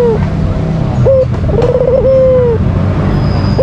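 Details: Provoking call of a white Barbary dove: a falling note ends one phrase, then a short clipped note and a rattling trill lead into a long even coo that drops at its close, with a low rumbling background.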